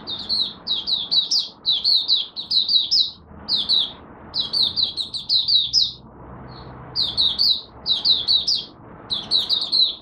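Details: Caged Malaysian oriental white-eye warming up at the start of the day, pouring out repeated groups of high, sliding, twittering notes about every second or two, with a low background rumble between bursts.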